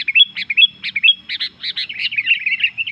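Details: Sooty-headed bulbul in vigorous song meant to agitate other bulbuls: dense, bubbly run of rapid chirps and slurred whistles, almost continuous for three seconds, ending in a warbling flourish.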